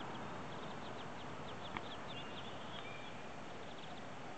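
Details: First-day ducklings, hatched overnight or early this morning, utter scattered high, thin peeps in small clusters, with one brief click and a short faint whistle over constant low rumbling noise.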